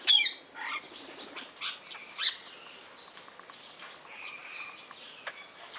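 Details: Blue-mutation Rose-ringed parakeet kept at Opole Zoo: a loud, shrill screech opens, followed by fainter scattered squawks and short chirps over several seconds against a quiet background.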